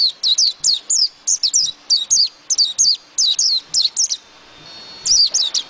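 A white-eye sings a rapid, high twittering run of thin sweeping notes, packed closely together with brief pauses, and faint low thumps underneath.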